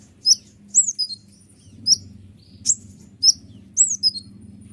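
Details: Kolibri ninja sunbird singing persistently in shooting style to enrage other birds like ciblek: sharp, very high chirps and slurred whistles repeated about every half second, with a faint low background drone.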